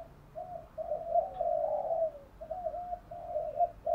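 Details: Spotted dove calling to lure other doves: a string of mellow, level coos set against a steady background hiss.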